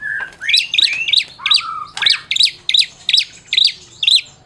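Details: Captive Medan white-rumped shama, a prize-winning singer, song played to provoke silent shamas into singing: a rapid series of sharp buzzy notes with a few lower slurred whistles, phrases repeated about every half second, loud and close.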